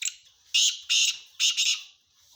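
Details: Harsh, grating call of a male black francolin, known locally as kala teetar: a brief opening note, two loud rasping notes, then a broken double note closing the phrase, with little else audible.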